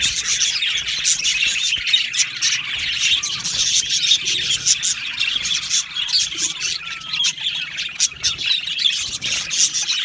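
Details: Aviary full of budgies, an unbroken high chorus of twittering chirps and squawks from the colony, with a few soft whistled notes mixed into the chatter.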